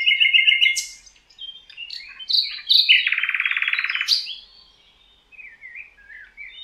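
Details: Singing in the Rawka river valley, Poland, a common nightingale runs through rapid repeated notes, varied sharp chirps and a dense buzzing rattle, ending in softer warbles.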